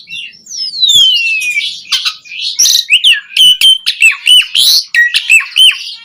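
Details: Asian pied starling song to excite caged birds, opening with a long falling whistled slide, then scratchy notes and a run of repeated loud slurred whistles.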